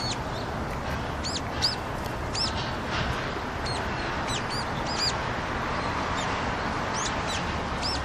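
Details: On a freezing February 2020 day in Seoul, South Korea, brown-eared bulbuls come to a rooftop to drink because other water has frozen; repeated shrill, upward-arching calls sound every second or so over a constant urban background rumble.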